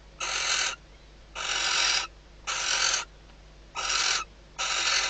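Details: Barn owl female, days from her first chick hatching, calling from inside the nest box at night as the male arrives in the Ebro Delta. Five raspy hissed notes, some longer than others, with short quiet gaps.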